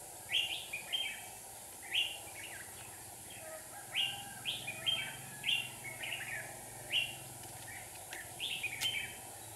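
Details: Red-whiskered bulbul decoy in a trap in Hòa Bình, Vietnam, singing to lure wild birds: crisp, cheery two- and three-note whistled phrases repeated roughly every second, clear over light background hiss.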